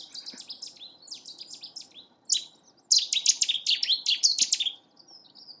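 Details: A Cetti's warbler in territorial/courtship display at Newport Wetlands Reserve bursts into a loud, explosive volley of sharp, high notes lasting about two seconds, after softer, scratchy chattering at the start.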